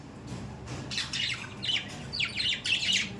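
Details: Budgies kept as pets give scratchy, warbling chatter, short grating notes strung together and growing louder toward the end, with a sharp squawk at the close.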